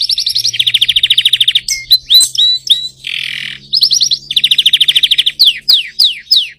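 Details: Young canary in song: quick rolling trills of evenly repeated high notes, short chips, a harsh rasping burst, another rapid trill, then a series of loud downward-swept whistles, with a faint low hum throughout.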